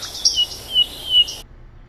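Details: Tailorbird calling: three quick, sharp, high chirps about half a second apart, bright and piercing, ending abruptly.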